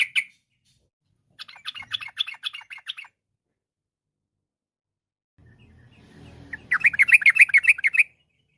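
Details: Yellow-vented bulbul giving fast chirping bursts intended to set other bulbuls singing; short rattling series of bright notes separated by long silences, the final burst louder and over a faint low hum.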